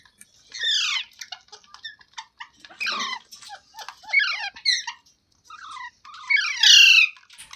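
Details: Pet parrot, filmed as talking, making scratchy descending squawks spaced a second or two apart, with many faint clicks and ticks between them.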